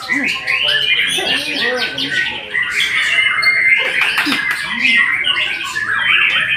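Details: White-rumped shama in full song, with rapid, varied phrases of whistles, chips and rolling notes, dense and unbroken, with a few lower rounded notes underneath.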